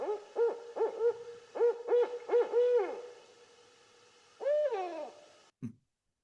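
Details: A Barred Owl, a woodland owl, calls in the Ottawa area, Canada. It gives a rhythmic run of about eight deep, arched hoots, then a drawn-out, sliding final note, followed by a brief thump.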